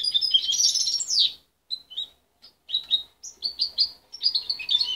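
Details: Young goldfinch hybrid, reared by its mother and separated at 23 days, singing a still-muddled song. A dense, bright trilled twitter opens, followed by separate sharp chirps and short warbled phrases coming roughly twice a second.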